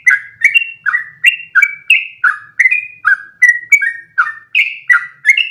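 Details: Long rolling training song of a sooty-headed bulbul: brisk, liquid whistled notes alternating between higher and lower pitches in an unbroken flow, quiet background.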